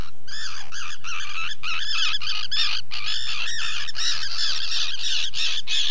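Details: Common tern, UK field recording: a rapid series of loud, rasping, arched calls, roughly three per second, overlapping as if from several birds calling together, with a faint low hum beneath.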